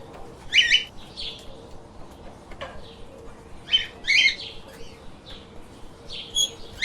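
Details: Pet lovebirds giving bright, clipped chirps in short clusters, a loud burst near the start and another around the middle, with quieter single chirps between and a faint hum underneath.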